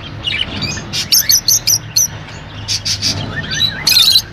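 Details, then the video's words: Rosy-faced and Fischer's lovebirds calling to encourage breeding: a series of short, sharp downward-flicking chirps at a steady pace, then harsher squawks toward the end over a low hum. "تغريد طيور الروز والفيشر"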